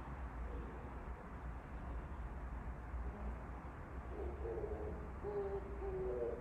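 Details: Oriental turtle dove singing outside a window: after four seconds of low rumbling background noise, a few low, hoarse cooing notes come in close succession near the end.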